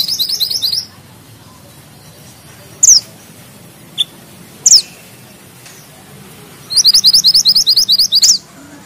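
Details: Mountain bushchat (mantenan gunung) in full song with tight rolls and sharp notes: a rapid high rattling trill, two piercing downslurred whistles with a short chip between, then another long burst of quick, evenly spaced high chips.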